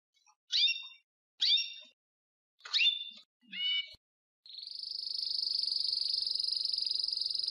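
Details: Belgian crested canary calling: four separate bright harmonic notes, then a long steady high ringing trill that holds its pitch to the end.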